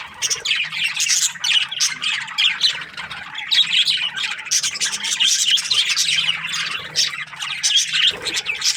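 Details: Morning chirping from several budgerigars, a steady stream of overlapping squeaky, buzzy notes and short warbles with no gaps, broken by a soft low bump near the end.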